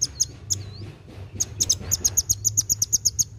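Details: Sunbird known locally as kolibri wulung singing vigorously, meant to stimulate young birds: a few scattered high ticks and a soft downslurred whistle, then a quickening series of sharp, very high chips.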